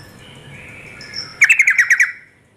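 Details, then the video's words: After soft background twitters, a female yellow-vented bulbul calling to draw males into song delivers a crisp rattle of seven fast notes, then falls silent. "Suara trucuk betina memancing jantan dan ropelan trucukan perangsang biar ikut ropel"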